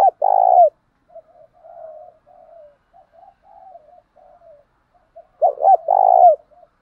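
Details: Spotted dove calling to lure other doves, a decoy-style calling recording: loud cooing phrase at the start, soft low murmuring coos through the middle, then another strong burst of rapid coos near the end.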